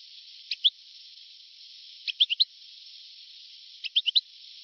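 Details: European goldfinch in an old recording from 1982 to 1990: three short bursts of bright, high chirping notes, two to four notes each, spaced about one and a half seconds apart over a steady tape hiss.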